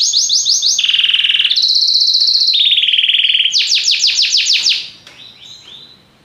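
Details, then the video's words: Belgian canary singing a varied series of tours: sweeping chips, then steady buzzy trills at lower and higher pitches, followed by loud repeated downslurs that fade to softer notes at the close. "espetacular canto canário belga"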